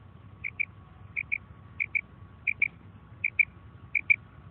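A female common quail gives six quick pairs of short, high notes, one pair about every 0.7 seconds, over a faint low rumble.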